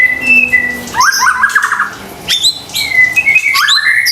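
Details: White-rumped shama lure song meant to provoke quiet birds: steady whistled notes give way to a burst of rapid buzzy chattering, then rising whistles and sharp upslurs, with some background hum.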